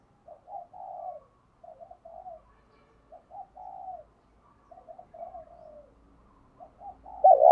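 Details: Soft, fairly distant cooing from a spotted dove used as a decoy to provoke other doves, in short phrases of a few low notes that slur downward, repeated about every one and a half seconds, ending on one louder note.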